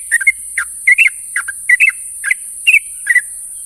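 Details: Trucuk bulbul morning calls to companions: clipped bubbly double notes and brief whistles repeated about every half second, with a steady high-pitched hiss behind.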